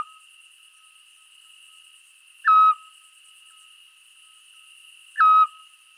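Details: At dusk in the Scrivia stream valley, Italy, a scops owl gives its tireless monotonous call: two brief piercing whistles, 'chiù... chiù', about three seconds apart, over a steady background drone of insects.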